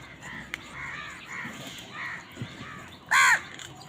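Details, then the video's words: Crows squabbling over food give a series of faint, hoarse caws, then one loud, sharp caw near the end. "কাকের ডাক Crows fight for food Crow Sound"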